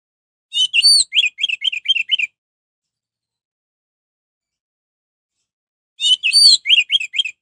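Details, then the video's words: Lure song of an orange-headed thrush to get other orange-headed thrushes singing: two loud phrases, each opening with a rich warble followed by five or six repeated rising-falling notes in quick succession. "suara anis merah untuk pancingan"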